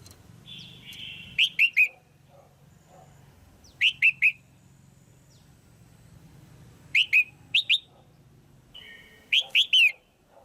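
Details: Calls of a female red-whiskered bulbul, used to stimulate a male or for pairing: crisp, slightly falling chirps delivered in clusters of three, repeated about every two to three seconds against a soft low hum.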